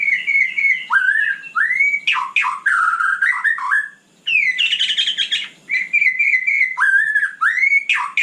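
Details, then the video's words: Continuous nighttime singing by a white-rumped shama: clear warbled whistles, harsh chattering bursts and repeated fluty turns, one short pause midway. "Kicau malam murai batu super GACOR"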